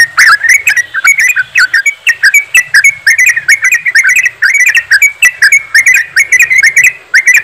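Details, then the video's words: Yellow-vented bulbuls in a group singing rapid 'ropelan' song to prompt other birds to sing; lively chatter of bright whistled notes, some sharp and high, delivered in quick irregular bursts with soft low hum. "TRUCUKAN ombyokan,TRUCUKAN ROPELAN untuk bahan cepat bunyi"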